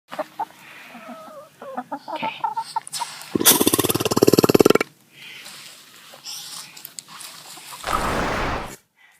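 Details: A pet Eastern Bronze tom turkey gives soft clucking notes, then a loud, harsh, rapidly pulsed burst of expelled air, a "burp" produced when squeezed before its display puff, lasting over a second, with a shorter breathy rush near the end.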